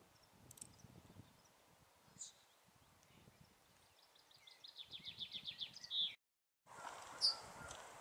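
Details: Yellowhammer singing on heathland near Uddel, Netherlands, in May 2013: a quick run of repeated thin chirping notes swelling in loudness, ending in a brief high note, then a pause and one faint further note; soft rustling behind.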